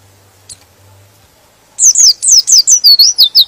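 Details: White-eye singing to provoke rival birds to sing along. A near-silent start gives way to a quick run of about ten high, slurred, downward-sweeping chirps, the final notes dropping lower and longer.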